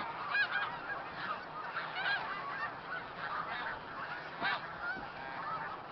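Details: A flock of about 3,000–4,000 snow geese, mixed with hundreds of Canada geese and mallards, in a field in Tompkins County, New York, on 20 December 2009, with birds leaving and arriving, gives a dense, continuous chorus of overlapping nasal, yelping honks.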